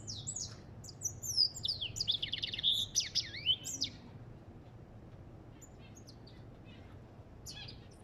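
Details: An African goldfinch delivers a burst of fast, high chattering twitters and swooping whistles for about four seconds, then falls almost silent apart from a few faint chirps near the end.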